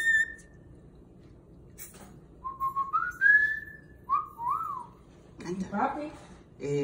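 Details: Pet cockatiel whistling indoors after being urged by its owner to sing la cucaracha; clear tonal whistles rising and sliding in a short melodic phrase, followed by a voice and some rustling.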